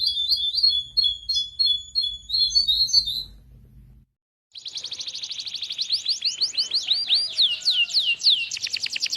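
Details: Tame canary singing vigorously (gacor): high chirped notes and short phrases, a low steady hum underneath, a brief silent break, then fast trills of downslurred notes, some sweeping up and down.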